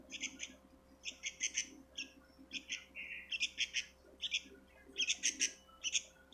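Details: Harsh, buzzy squawks from a sooty-headed bulbul chick, delivered in uneven groups of two to four rasping notes with short gaps, in a quiet setting.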